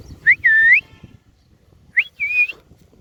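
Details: Green ringneck parrot, hand-tame and sitting on a cow, speaking in Urdu and Hindi: two clear whistled phrases a second and a half apart, each opening with a short upward slide into a sustained high tone.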